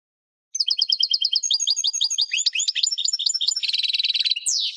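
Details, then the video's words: Sustained European goldfinch song after a short silence: quick repeated high chirps, varied liquid twittering phrases, a dense buzzy trill and a closing descending wheeze. "chant de chardonneret"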